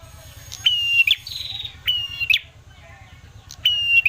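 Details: Ashy tailorbird lure song for drawing out other birds' singing. Three flat whistled notes, each closing with a brief rattling flourish, plus a short buzzy note, over constant low background hum.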